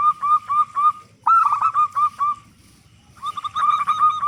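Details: Local zebra dove, a frequent singer with a big voice, used as a lure to make other zebra doves start singing; short bursts of rapid, rhythmic, mellow cooing notes, with a brief pause between phrases and faint low background rumble.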